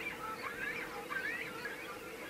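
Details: Grey heron (Ardea cinerea) chicks in the nest give harsh, squawking begging calls that overlap in quick succession, rising and falling over a steady hum, competing for prey the adults regurgitate directly into the nest.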